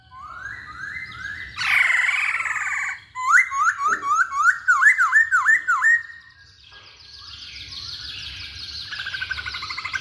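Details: Masked laughingthrush in full song, meant to provoke other birds into singing: short rising whistles, a harsh burst, then a fast series of bouncing, zigzag whistled notes, ending in a softer, noisy chattering passage.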